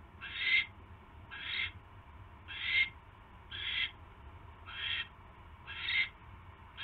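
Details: Owl nest on the evening of 29 January 2016, a mouse being delivered; seven harsh hissing screeches roughly one second apart, each short and breathy, over a quiet low hum.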